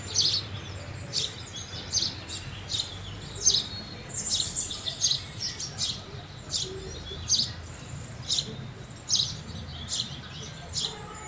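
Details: House sparrow chirping steadily, a string of short, high, clipped notes with a few clustered together, over a faint low rumble.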